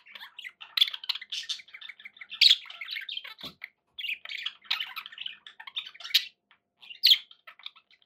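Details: Continuous twittering of pet budgerigars, a busy mix of fast chirps, warbles and harsh squawks, with louder sharp calls standing out every second or two.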